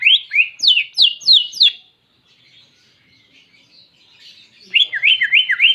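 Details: Greater green leafbird song with canary-like phrases. Quick slurred notes fall sharply from high to mid pitch, about five in a row. A quiet pause follows, then another fast run of dipping, whistled notes.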